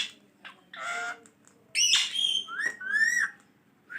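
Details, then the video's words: Green ringneck parrot kept as a pet, talking: a few rough spoken syllables, then a loud buzzy note and a drawn-out rising whistle indoors. "Masha Allah boline wala tota😍 check karen kitne words bol Raha he full Talking of my parrot"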